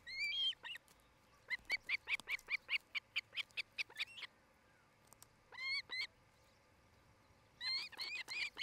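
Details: Nest-camera recording of an osprey in Charlo, Montana, July 2018: bursts of rapid, piercing whistled cheeps, a quick string of short notes followed by shorter clusters after brief silences.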